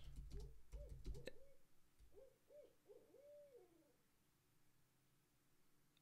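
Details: On 8 January 2023, an owl hoots outside a cracked second-floor window and is heard from indoors. It gives a run of rounded, slightly wavering hoots, then a second rising-and-falling series, with a few sharp clicks at the start.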